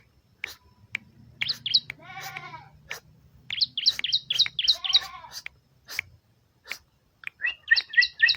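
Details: Bar-winged prinia giving rapid high chirps mixed with two buzzy, rasping bursts, then a final run of quick repeated chip notes.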